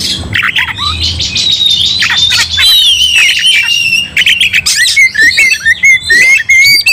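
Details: Oriental magpie-robin in fighting mode, its agitation spreading to other magpie-robins. A scratchy chatter gives way to long slurred whistles and a steady string of clear, repeated high notes in the final seconds.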